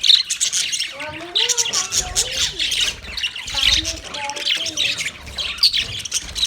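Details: A group of Australian budgerigar parrots chirping loudly: busy high squawky chatter layered with lower warbling, wavering notes in short phrases.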